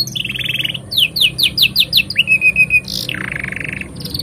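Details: Canary song for training young canaries and prompting silent ones: a buzzy trill, then about eight falling whistled slurs in rhythm, a long thin descending whistle and a final buzzy rattle.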